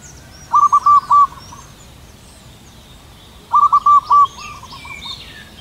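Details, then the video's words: Local zebra dove giving its long morning song from a high perch under white clouds; two phrases of quick cooing notes ending on a longer coo, about three seconds apart, with other birds chirping softly. "Perkutut lokal manggung gacor suara panjang menggema keras di angkasa"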